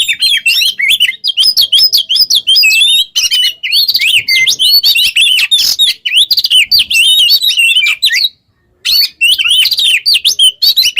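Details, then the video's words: Oriental magpie-robin pouring out long rapid song for songbird training: dense runs of varied whistles, zigzag slurs and buzzy notes, with one short silent pause near the end. "GACOR burung KACER ngobra teler cocok buat pancingan MASTERAN"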